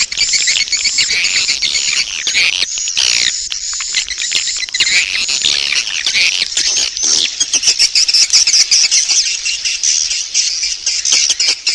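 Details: Swiftlet lure call as a dense, continuous chorus of high, buzzy twittering chirps, overlapping and rapid, with a bright sustained tone underneath and a slight lull midway before the chattering builds again.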